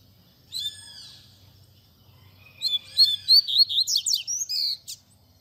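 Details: Song of a double-collared seedeater, Tui Tui Zel Zel style, used to teach young birds: one arched whistled note, a pause, then an accelerating string of about a dozen high, sliding, buzzy whistles lasting roughly two seconds.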